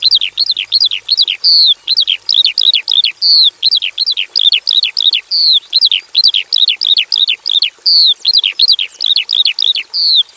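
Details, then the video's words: Javan bush lark from a simple aviary, sounding loud, clear, downward-curving whistled notes repeated about twice a second in an even, persistent series, each note sweeping from high to lower pitch. "KICAU SUARA BURUNG BRANJANGAN JAVANICA GACOR FULL ISIAN"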